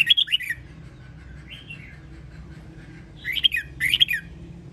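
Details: Training song of a caged red-whiskered bulbul from Sông Kon, Quảng Nam, Vietnam: a bright warbled phrase, a soft short note, then two loud looping phrases close together, with a low background hum throughout.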